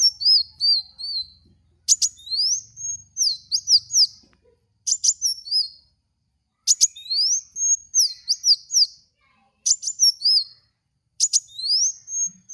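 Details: Lure song of a kolibri wulung (Van Hasselt's sunbird) used for training cage birds: repeated phrases opening with sharp high ticks, then rising buzzy sweeps and slurred whistles, phrases every two to three seconds.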